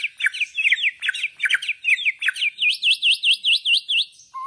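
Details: Borneo white-rumped shama in gaya sujud bowing style: quick tumbling twitters, then a steady run of about eight loud V-shaped whistled notes, evenly spaced.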